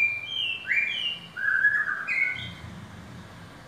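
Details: Kept white-rumped shama (murai batu), called a champion bird, giving loud clear whistled phrases that slide up and down between high and mid pitch. The phrases come in quick bursts, then fade to a quieter stretch with a low background hum.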